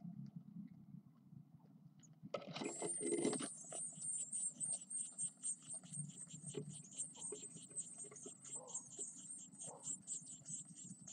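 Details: Ten Eurasian blue tit chicks, nine days old, calling in the nest: after a dull knock, a continuous stream of very high, thin, rapidly repeated begging notes sets in and keeps going, over low background rumble.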